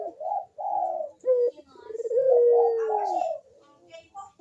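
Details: Barbary dove cooing as a lure meant to stir lazy doves into calling: a short low coo, then a long rolling note sliding slightly downward, pausing and repeating, with faint room sounds.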